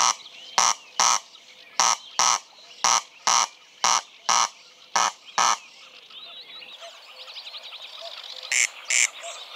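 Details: Corn crake or landrail (Crex crex) gives harsh, rasping double notes, crex-crex, each pair about a second apart, with a softer warbling songbird in the background.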